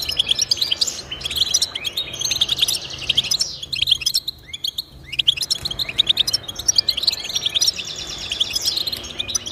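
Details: European goldfinch song, offered as encouragement for pet goldfinches to sing: rapid twittering bursts of high tinkling notes and short rising slides, broken by a brief pause near the middle, with a continuous soft hiss underneath.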